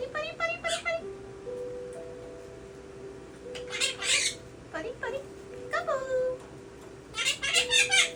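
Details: A male pet Quaker parrot (monk parakeet) chatters imitated words in short, squeaky bursts over steady background music.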